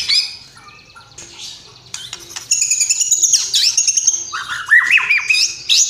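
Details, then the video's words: White-rumped shama song beginning softly with faint notes, then a loud high sustained whistle, buzzy chatter, and descending whistled slurs toward the end. "MURAI GACOR BONGKAR ISIAN !!! MURAI BATU ISIAN MEWAH FULL TEMBAKAN"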